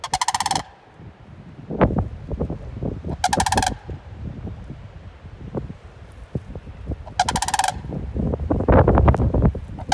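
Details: A sandhill crane gives three loud, rolling, rattled calls, each about half a second long, spaced a few seconds apart, over low thumps and rustling; recorded 5-3-20.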